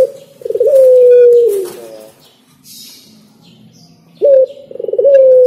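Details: Spotted dove singing: a long, steady coo gliding slightly downward, a pause with faint rustling, then short rising notes leading into another drawn-out coo.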